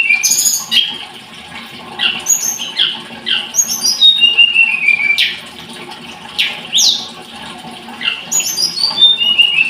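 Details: High, sibilant twittering from a blood-breasted flowerpecker: clusters of sharp chips and falling whistles about three per second, separated by short quiet gaps.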